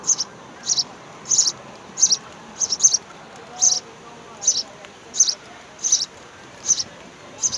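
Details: Begging of three young house sparrows at the nest, fed by both parents; sharp high-pitched chirps come in steady paired bursts, roughly every 0.7 seconds, over quiet background.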